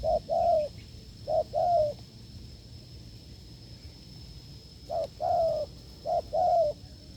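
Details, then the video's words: Hard low cooing by a wild spotted dove during an unsuccessful decoy test: two short-long coo pairs, a pause of about three seconds, then two more pairs, over a constant faint high tone. "đụng bổi đồng gù cứng,gù lợi cốt quá phê"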